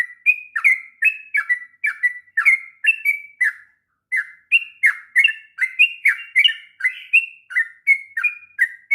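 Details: Long 'ngropel' song from a sooty-headed bulbul used to tutor young birds: quick whistled notes in a continuous run, one short pause midway, then the rapid rhythm resumes, some notes doubled.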